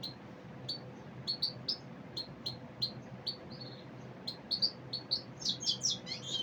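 Common Iora giving short, high chirps about every half second, then a quick run of twittering notes; a faint steady hum sits underneath.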